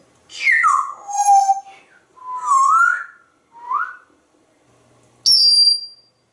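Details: Pet parrot with its owner, who tells it to be quiet and calls it noisy: a series of loud whistled notes sliding down, then up, in three separate bursts, followed by a sharp, piercing high squeak.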